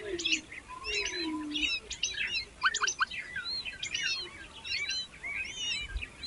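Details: Hungry baby birds being fed by their mother: a dense chatter of quick high chirps and short twittering notes, overlapping and continuous, with a few lower soft notes beneath.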